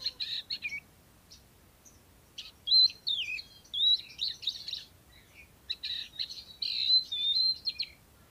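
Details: Oriental magpie-robin held in a cage and described as a steady singer ready for contests: varied high warbled phrases with sliding whistles and scratchy notes, delivered in bursts separated by short pauses.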